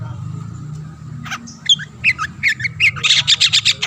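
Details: Long-tailed shrike singing energetically to provoke rival shrikes into singing; after a low hum, scattered harsh chattering notes build into a run of rapid, evenly spaced raspy bursts.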